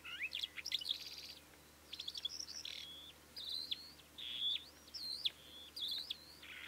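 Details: Calandra lark (Melanocorypha calandra) singing a continuous, varied song of chirps, buzzy rattles and clear whistled notes, phrases bursting out roughly every second with a few short pauses.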